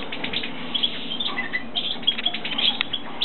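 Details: A captive pair of European goldfinches, an agate male carrying lutino and a lutino female, give brief, bright twittering chirps at an irregular pace over a steady low hum.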